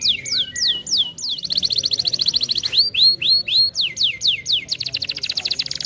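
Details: Canary song meant to stimulate other canaries to sing: repeated downward-sweeping whistles about three per second, a brief rapid trill, a run of slurred rising-falling notes, then a fast rolling trill to close.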